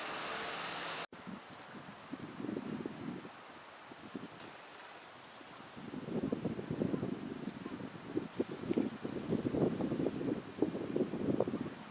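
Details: Wind buffeting the microphone and rustling, with no clear animal calls.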